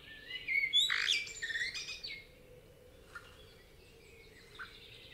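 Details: Common blackbird in a Spanish forest opening with a bright, tangled burst of whistles and high twittering, then fading to faint, sparse distant notes against a hushed woodland background.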